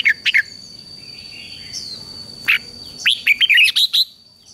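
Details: Red-whiskered bulbul song for training a wild-caught bird to sing. A few scattered sharp chirps give way to a fast closing burst of warbled notes, over soft background noise and a steady high tone.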